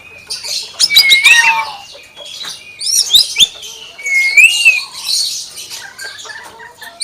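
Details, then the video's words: Common hill myna giving quick bursts of high chirps and sliding whistles, several dipping-then-rising whistles, and rough hissy squawks, in fast lively runs with brief gaps. "BURUNG BEO SUARA AYAM"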